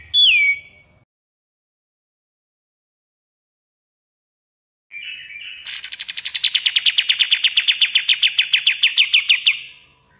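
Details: Loud 'gacor dor' master song of a Common iora for bird training: a single falling whistle, quiet pause, a buzzy lead-in, then a rapid rattling trill of many short, high, evenly spaced chirps.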